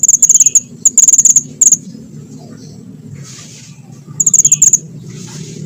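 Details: Small minivet singing vigorously, recorded for use in luring and trapping birds: bursts of very high, sharp, rapidly repeated ticking notes in short rolls, separated by pauses, over a steady low background hum.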